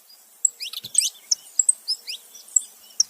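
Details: Male and female saffron finch together utter soft, high, downslurred chirps and thin whistled notes in an irregular scatter, with a brief rustle.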